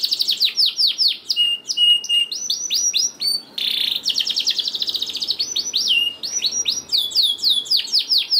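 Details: Singing canary used to prompt lazy canaries to sing: alternating bursts of curved high chirps, short whistled notes and a dense buzzy roll around mid-song, followed by fast repeated trills and sweeping calls.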